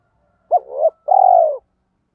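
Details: Spotted dove giving one cooing phrase in the thổ pha đồng voice, meant to draw wild doves: sharp short upslur, building second note, and a held, gently falling final coo, with nothing else heard.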